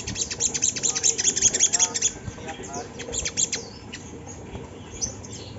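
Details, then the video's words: Lure song of a Sunda laughingthrush, played to set other birds singing: a fast, dense train of high, sharp chirps for two seconds, then sparser notes and a few lower, harmonic sounds. "Suara sogon yang bikin bunyi burung bahan"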